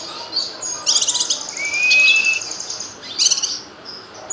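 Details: Cucak kinoy, a bulbul, in a tutor recording giving bright, chattering bursts of high notes broken by a clear, slightly rising whistle held for nearly a second, then another scratchy chirping burst.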